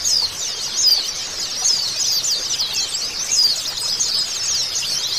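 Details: Several white-eyes sing together in therapy audio meant to start a silent bird singing. Shrill, fast chattering and thin trilled phrases layer continuously, with brighter sharp notes breaking through every second or so.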